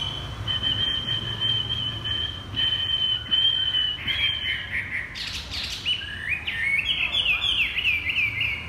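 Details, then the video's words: Chinese hwamei, a caged bird set on the ground, delivers 'thắt cổ chai' (bottleneck) song: held high whistles repeated twice, then a burst of rapid, varied, cascading whistled phrases dropping and rising in pitch. "Chim hoạ mi đặt đất hót thắt cổ chai thắt cổ chai"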